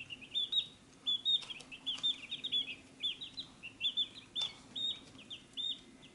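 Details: A group of chicks at their feed dish keeps up a continuous chorus of shrill, brief peeps, often paired or tripled, interrupted by occasional clicks from pecking or the dish.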